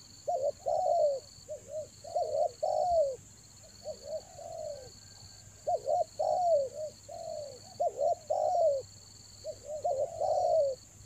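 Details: Rainy-season luring call of a spotted dove, Toba: soft throaty coos in bursts, quick stuttered notes followed by extended falling coos, six or so phrases, with a constant high electronic hum.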